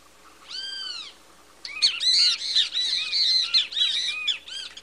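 Great kiskadee: a single loud arched note, then a quick run of harsh, ringing, strident calls, about three a second. A faint low hum lies beneath.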